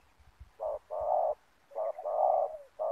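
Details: Spotted dove used as a decoy for catching wild doves with ground snare nets in Indonesia; low, hoarse coos in paired short and long notes separated by a brief pause, with a little faint background noise.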